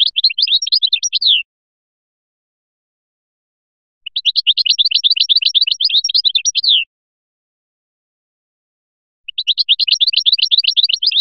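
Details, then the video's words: Goldfinch from Biskra singing the Felyachi style in three long bursts of very rapid, regular twittering notes, about four per second, each burst ending in a falling slur, with pauses between. "تغريد مقنين بسكرة الفلياشي الرائع"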